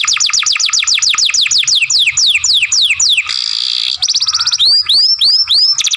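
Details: Young canary used as a masteran tutor for song training, singing loud rapid series of descending whistled notes, then a dry buzzy trill and fast sweeping chirps, phrases changing every second or two.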